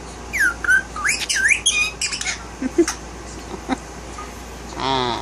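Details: Indoor male Indian ringneck parakeet talking: a run of sweeping, whistly, squawky syllables with rising and falling glides, then scattered softer notes, and a person's voice near the end.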